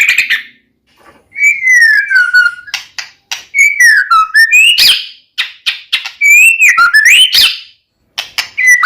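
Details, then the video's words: White-rumped shama, Medan type, with a song full of fill phrases, played as a lure to make another shama sing: loud, varied whistled phrases with sliding notes and sharp clicks, broken by short silences. "murai batu gacor AMPUH buat PANCINGAN murai batu agar bunyi JADIKAN burung murai gacor EMOSI NYAUT"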